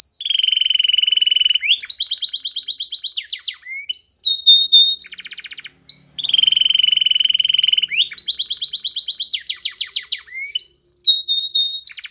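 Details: Spanish Timbrado canary training song built from repeating phrases: a long steady whistled tone, a loud rattling trill, rising slurs and a clipped whistle, the sequence heard twice.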